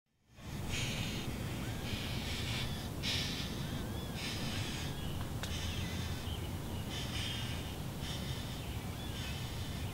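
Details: Red-bellied woodpecker nestlings at about day 23 of nesting, very active: raspy, hissing bursts repeated roughly every second in overlapping rushes, over a steady low rumble of background noise.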